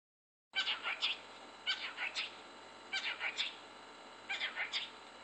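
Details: A cockatiel in Leeming, WA, on 14 June 2014, whistles phrases of the familiar "Happy Birthday" tune in clear, slightly wavering notes.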